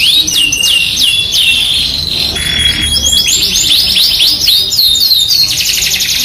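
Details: Yorkshire canary singing actively as a masteran lure for other canaries. Fast chattering trills and looping whistled slurs, with a brief buzzy steady tone midway and dense repeated notes near the end.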